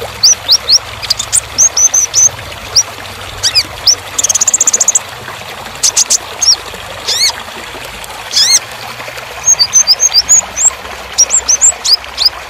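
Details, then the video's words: A sunbird in a master recording for training songbirds sings very high, thin, sharp chirps in quick bursts, broken by a brief buzzy trill and a few rising sweeps. "KONIN (Kolibri Ninja) Masteran Full Materi Mewah Isian Rapat Panjang"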